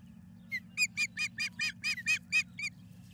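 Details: Osprey at the Charlo nest on a May 12, 2022 evening, chasing an intruding osprey away: about ten loud, shrill whistled chirps in a steady rapid series, each a short down-slurred piping note, with low constant hum beneath.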